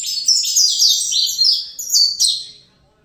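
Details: Fibra-style song from a young captive Saffron finch: a dense, fast run of bright descending slurs, the strophe ending in a fading trail after about two and a half seconds.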